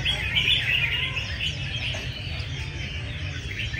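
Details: At a crowded singing-competition session, a group of red-whiskered bulbuls pour out rapid bright chirps and rising whistled phrases in overlapping bursts, with a continuous low background murmur.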